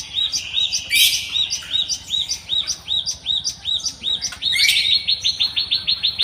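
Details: A Java sparrow calling in the wild with clipped, upward-flicking chirps in quick succession, interrupted by two brief sharp clicks, then a denser burst of rapid notes at the end.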